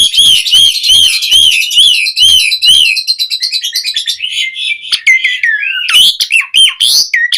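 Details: Black-collared starling in full lively song with varied fillers, meant to coax and tutor caged starlings: a series of rapid arched whistles repeated about once a second, then twisting buzzy and whistled phrases.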